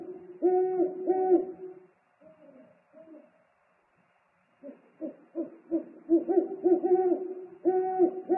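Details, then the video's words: Owl pair calling to each other at the nest while the male brings food, 3 March 2019: loud wavering hoots, quieter clipped notes, then an overlapping burst of hoots from both birds. "ūpju paps atnes ņammu,dialogs"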